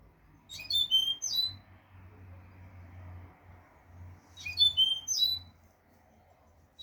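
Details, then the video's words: A European goldfinch repeats its learned note, which is meant to teach young goldfinches. Two matching high twittered phrases, each ending in a buzzy whistle, are separated by about three seconds of low indoor hum. "audio pará educar a los jilgueros sin errores |كيفية تعليم طيور الحسون نظيفة بدون عيوب"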